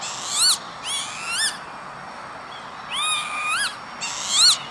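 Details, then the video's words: Vanellus vanellus recorded 28 May 2013 on industrial ground by Veenendaal, Netherlands: a rapid series of five or six wheezy, harmonic calls, each swooping upward at the end, in two bursts. "Kievit - Lapwing - Vanellus vanellus"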